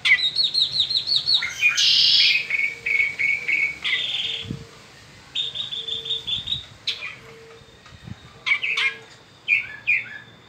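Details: In spring, a peninsular mockingbird sings a varied medley of high rapid trills, buzzy phrases and sharp chips, with pauses between sections and a faint low thump.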